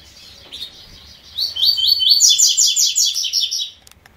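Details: Three-note style song of a Double-collared seedeater: a brief high chirp, then a bright, fast sequence of clipped, slightly slurred high notes repeated in an even rhythm for over two seconds before stopping abruptly, with little other sound.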